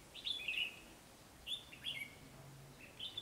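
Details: Red-whiskered bulbul lured toward a decoy fighting trap: liquid slurred whistles in short phrases, one burst followed by paired notes and a final rising note.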